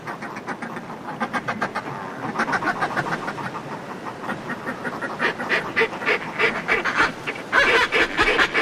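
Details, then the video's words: Northern fulmars displaying in groups on sea-cliff ledges cackle close up in rapid, throaty, chattering bursts that grow louder and denser, with house martins calling and sea wash hissing underneath. "Northern Fulmar / Calls CU From Groups Displaying On Cliff Ledges"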